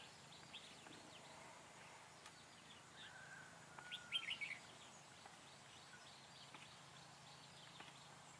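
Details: Red-whiskered bulbul used as a decoy during trapping on 4/2/2017, singing to lure wild birds; one brief burst of bright, quick chirped notes midway, with faint scattered chirps and a low steady hum in the background.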